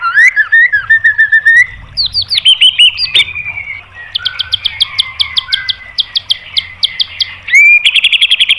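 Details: White-rumped shama masteran song for provoking birds into a singing response: warbled downslurred whistles, a sharp snap, then a long series of evenly spaced high ticking notes and a final bright whistled trill.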